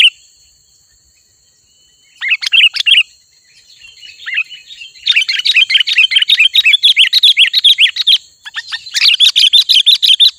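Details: Sooty-headed bulbul in vigorous 'gacor' song, used to lure wild bulbuls closer: bursts of fast, bright chattering notes, a brief phrase, a pause, then long dense runs of quick chirps, with a steady faint high electronic tone behind.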